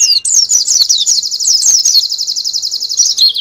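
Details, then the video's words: Canary master song used to train birds for national competition: a continuous high, fast run of repeated chipping notes with sliding whistles, unbroken for over three seconds. "Masteran kenari terbaik untuk persiapan lomba nasional"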